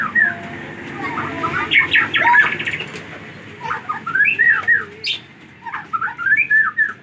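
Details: White-rumped shama from Aceh, Indonesia, recorded 24 December 2022, singing a varied sequence of short chattering bursts and fluty slurred whistles with pauses, over steady background hum.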